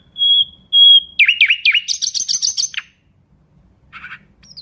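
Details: Nightingale opening with two long, pure, level whistles, then fast looping slurred notes and a buzzy rattle, followed by a pause and soft distant chirps.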